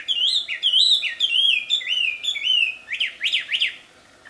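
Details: A wambi in the wild sings a loud, clear run of slurred whistles, each rising then dipping, about twice a second, ending in a few sharper up-and-down notes; the song is used as a lure for wambi.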